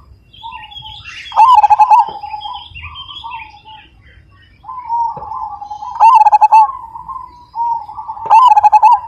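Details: Big-voiced Majapahit zebra dove singing three loud, pulsed coo phrases spaced several seconds apart, each of about six rapid throaty beats, over quieter cooing and chirps from other birds.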